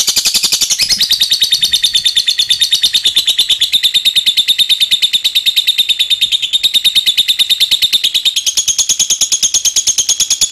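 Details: Lovebird giving ngekek, a long unbroken chatter used to prompt other lovebirds into chattering: dense, fast, high-pitched buzzy trill held steadily for the whole stretch without pause.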